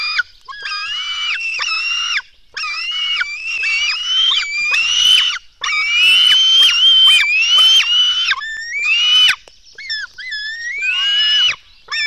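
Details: Black stork chicks at a Latvian nest being fed at dawn on 24 June 2016: a long, overlapping series of squealing, wavering whines, some sweeping upward, broken by brief pauses.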